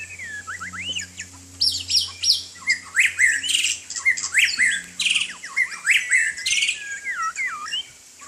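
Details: A white-rumped shama in the rain sings loudly and richly, mixing swooping whistles with harsh, scratchy bursts and rapid notes. The phrases come in a busy, uneven stream throughout.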